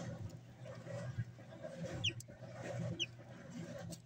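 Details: Three-day-old chicks: two short, high peeps, each sweeping sharply downward about a second apart, faint over a steady low hum and rumbling background noise.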